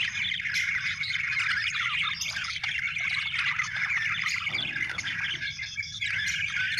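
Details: Budgies keeping up a thick, unbroken chatter of warbled chirps and scratchy squawks, many voices overlapping at once, with a low background rumble underneath.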